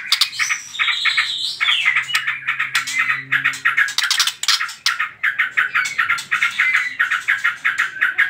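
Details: White-rumped shama song used to provoke other birds into song: an opening high whistled phrase, then a long run of rapid chattering notes with occasional short whistles, fairly continuous.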